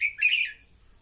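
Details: Red-whiskered bulbul kept as a decoy bird, heard in one brief, loud phrase of two or three warbled whistles, a recording meant to excite other birds into singing.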